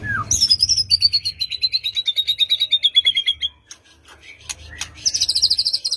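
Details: White-rumped shama lure song meant to make a quiet bird answer; a long descending series of rapid repeated notes lasting about three seconds, then scattered clicks and a short high trill.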